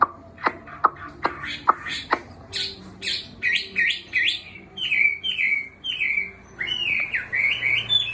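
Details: Caged Chinese hwamei, about six months in the cage, regaining form after its molt and still shedding much down: opens with sharp clicking notes, then a run of loud, repeated slurred whistles that climb and fall, growing richer toward the end.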